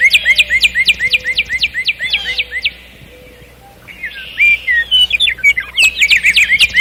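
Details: Nightingale song, presented as relaxing birdsong: rapid series of short sharp rising notes repeated at a steady pace. A brief quiet pause is followed by looping whistled phrases and fast clicks, with faint low steady hum beneath.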